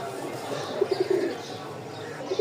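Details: Several Giribaz high-flying pigeons from Rajshahi, top-collar stock sold with chicks, utter a quick run of five or six low, rounded coo notes, then a brief pair near the end, against soft indoor hum.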